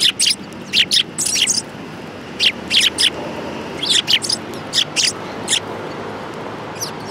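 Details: Sparrows flocking to food at a Japanese shrine in January 2018: quick clusters of sharp high chirps from several birds, pausing briefly midway, over faint low background noise.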